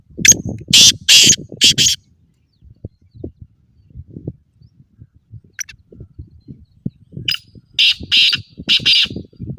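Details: Black francolin voice used to improve calling speed in captive birds. Three harsh grating bursts open the recording, then low rustling, and another set of three rasping notes closes it.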